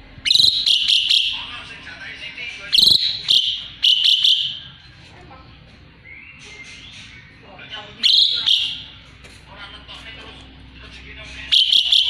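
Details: Asian pied starling singing vigorously, kept as a song model for magpie-robins; strong phrases of harsh, scratchy notes and piercing whistles come in bursts every few seconds, with quieter warbling in between.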